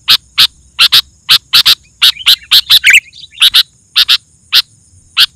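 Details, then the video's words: Sooty-headed bulbul singing, used to provoke other bulbuls and call wild birds: short bright notes repeated in irregular bursts, a few quicker warbled phrases in the middle, with a faint steady high hiss behind. "Suara Burung KUTILANG GACOR, 100% Ampuh Bikin Burung Kutilang Lain Emosi dan Ikut Gacor"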